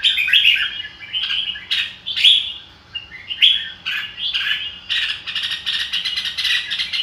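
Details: Red-whiskered bulbul singing "ro kích bổi" style, loud fluty whistled phrases early on, then a fast, chattering run of clipped chirps over the last two seconds.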